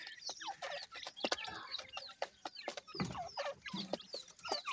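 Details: Several young grey francolins calling in a busy chorus of short, high, falling whistled peeps, roughly two to three per second, broken by sharp tapping clicks.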